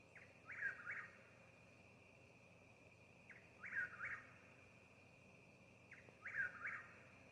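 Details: Whistled three-note phrases of an eastern whip-poor-will, recorded in a Mississippi yard, come roughly every two and a half to three seconds, each ending on an upward slur, with a constant insect hum behind them.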